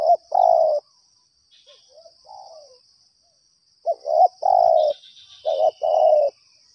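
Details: Spotted dove answering a lure, with a short note and long coo, a pause holding soft quiet notes, then a fuller phrase of two clipped notes, a long coo and a final pair of coos.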